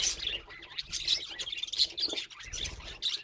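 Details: Pet budgies in steady high-pitched warbling chatter: rapid scratchy notes broken by short sharp chirps and squeaks, with faint low rumbles beneath.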